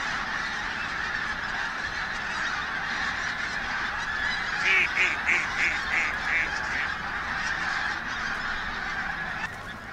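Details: Pink-footed geese moving over Martin Mere WWT Reserve, Lancashire, on a bright 8 October 2012; a nearer bird gives a run of about seven quick, ringing honks over the flock's background clamour.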